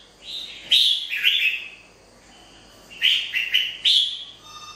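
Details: Wild-caught ('bổi') red-whiskered bulbul singing two clusters of lively, slurred chirping notes separated by a brief pause. Each cluster has three or four quick, bright syllables. No other sounds stand out.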